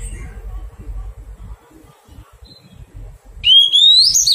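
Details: Oriental magpie-robin, caught from the wild and undergoing taming, gives one short clear whistle rising steeply at the very end, after a stretch of low thumps, rustles and faint background noise.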